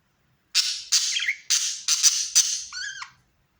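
A budgerigar gives a rapid run of harsh, scratchy squawks ending in a brief warbled chirp.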